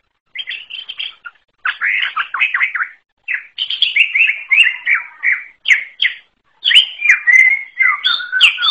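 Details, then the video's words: Greater green leafbird delivering an unusual song of rapid chattering phrases, groups of quick downslurred whistles separated by short pauses, with some lower notes mixed in. "KICAU UNIK CUCAK IJO ALAS"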